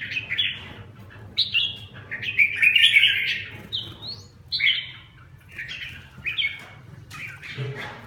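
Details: Red-whiskered bulbul song from a kept bird being restored to form: a string of separate liquid, whistled phrases, some slurred upward, others downward, spread across eight seconds with short gaps, steady low hum behind.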